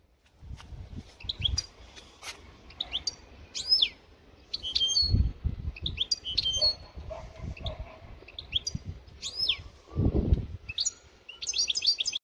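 A European goldfinch sings a quick, tinkling twitter of high chirps and buzzy trills in bursts, over low thumps and handling noise.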